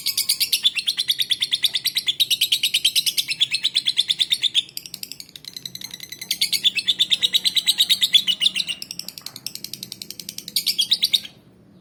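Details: Lovebird recorded in Palembang as a lure to get other lovebirds singing. Several bursts of rapid, high, buzzy chirping are separated by quieter chatter, ending abruptly in silence.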